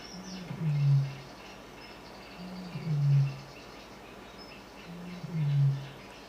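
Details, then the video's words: Male Eurasian bittern booming song, likened to a foghorn, used to attract females and tell other males the territory is taken; three deep, low hollow booms about two seconds apart over a faint hiss. "Donc ça ressemble à une corne de brume, et ça les femelles adorent."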